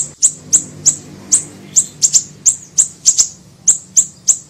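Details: Siri-siri bird, small, taped as a lure and training recording: a fast series of crisp, very high single and paired chip notes, about three per second, clean and unaccompanied.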